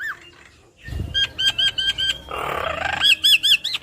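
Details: Javan myna with yellow eyes singing and head-bobbing: a soft rustle, then a row of bright even whistled notes, a grating burst, and rising warbled whistles.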